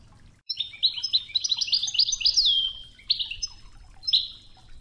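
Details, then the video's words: European goldfinch singing Widani-style toughza song over a river-water background for song training: a fast liquid twitter of stacked notes builds into a loud descending slur, then resumes with clipped tinkling phrases over soft murmuring noise. "الشريط الويداني الأصلي توغزة بنغمات خرير مياه الأنهار"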